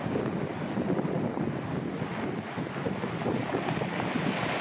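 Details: Strong wind buffets the microphone, with a constant roar that suggests waves or rushing water and no animal calls.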